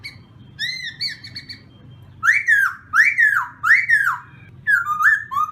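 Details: Black-throated laughingthrush practising its morning song: soft level whistles, then three loud arched whistles rising and falling about every 0.7 seconds, ending with quick rising notes.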